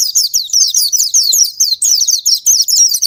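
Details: Oriental white-eye (pleci) song used as a lure to stimulate lazy or silent caged birds to sing: rapid, high-pitched chattering twitter of sliding notes, continuous with brief pauses, no other sounds.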